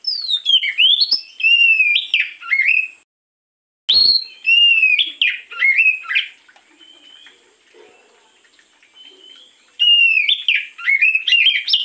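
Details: Oriental magpie-robin singing in the morning, used as a lure: loud whistled phrases with sliding, warbling notes in bursts, a short silent gap near three seconds, a quiet stretch of faint chirps, then renewed rich whistling.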